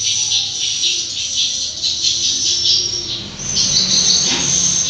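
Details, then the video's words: Inside a dark two-storey swiftlet house, many swiftlets call together in a dense, unbroken chorus of high, thin chirps and twitters, with a faint voice briefly underneath. "ini rame banget suaranya burung walet"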